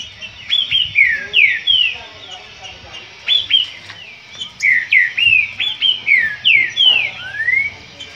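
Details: Green-winged saltator singing in a song dispute: loud whistled phrases of sweeping, downslurred notes, one after another in bursts, ending on a long rising whistle, with faint low rumble beneath.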